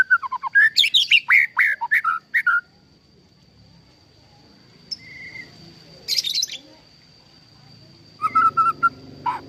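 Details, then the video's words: White-rumped shama, a captive-bred bird, singing melodious phrases: a rapid burst of varied whistled and sweeping notes for two seconds, then silence, a short buzzy note, a chattering burst, and a final run of repeated whistles. "Kicau Merdu Murai Batu"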